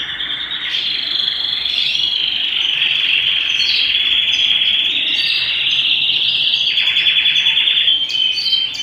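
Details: Canary singing at home: a continuous high trilling song with rapid rolls and sustained buzzy stretches, shifting to a faster rattling trill near the end.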